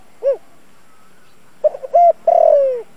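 A spotted dove gives a short soft coo, then a quick run of mellow cooing notes ending in a longer, gently falling, slightly rough coo.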